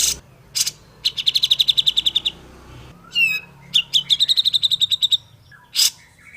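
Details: Grey-cheeked bulbul in a clear, original recording used to prompt other grey-cheeked bulbuls to sing sooner: a short harsh burst, then two fast runs of sharp, high, ringing notes with a clipped squeaky phrase between them.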